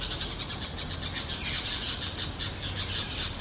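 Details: A parrot pair in low forest among large trees, giving a fast run of rhythmic, grating notes repeated several times a second without a break.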